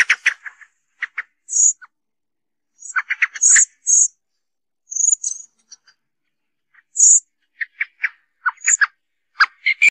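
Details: Common blackbird song recording used as a lure for hunting blackbirds: short, varied mellow phrases, many ending in thin, high squeaky notes, separated by brief pauses; no other sounds are heard.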